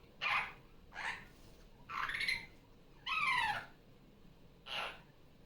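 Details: Superb parrot (Barraband parakeet), a female pet bird just off her nest and loud again during Sunday morning playtime, gives five harsh, grating squawks, some with a rising twang, about a second apart against quiet indoor room noise.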